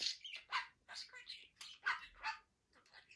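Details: Indoor pet budgie, a male, chatters as he plays with toys: a run of about seven short harsh squawky bursts, uneven in spacing, followed by quieter scratchy notes.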